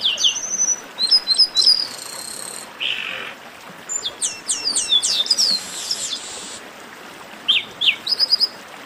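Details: Chestnut-capped blackbird (Chrysomus ruficapillus) song: quick bursts of high, thin whistles mixed with buzzy, slurred notes, separated by brief pauses.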